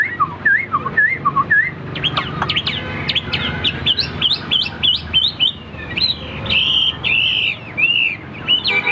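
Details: Hwamei in a cage, a bird proven in fighting display and praised for its loud ringing voice, pours out a rich varied song. Looping whistles give way to rapid sharp notes and long slurred phrases.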